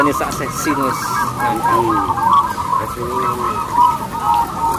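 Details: Loud, long-voiced local zebra doves used to prompt other doves into song; overlapping trilled cooing notes roll on continuously, with several birds heard together.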